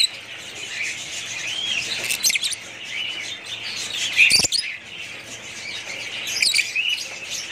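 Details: Budgies keep up a high, busy chatter of twittering notes and rising squeaks, broken by a few sharp clicks or knocks.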